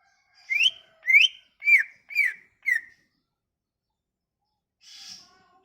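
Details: Lure song of a Sumatran leafbird, meant to coax silent leafbirds into singing: five strong, clear whistled notes, each rising then falling, spaced about half a second apart. A brief soft hiss follows after a pause.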